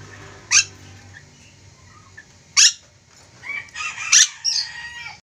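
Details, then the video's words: Ornate lorikeet, an Indonesian endemic bird, sounding three loud rasping screeches about two seconds apart, followed by a burst of chattering, squeaky notes near the end. "Nuri dora gacor"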